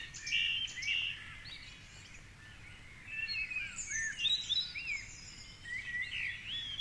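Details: Male song thrush singing from a tall treetop at 4.45am on a dark Sunday dawn beside the Curragheen River, Cork City. Bright whistled and chirpy phrases, an opening note given twice, amid a busy dawn chorus with light background noise.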